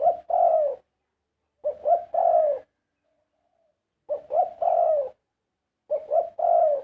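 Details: Zebra dove delivering melodious 'karam' song: four phrases, each one or two brief coos followed by a drawn-out rolling coo, repeated roughly every two seconds in a quiet setting.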